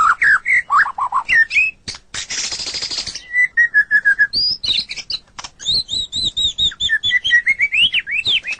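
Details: White-rumped shama in full song, a tutor recording for captive birds: whistled slurs, a harsh buzzy burst, a row of falling whistles, then rapid high looping notes.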